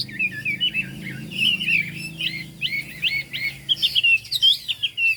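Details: Chinese hwamei singing in the 'cao cầu' manner with a continuous stream of clear whistled notes, repeated looping slurs and sharp rising flourishes, loud and varied throughout.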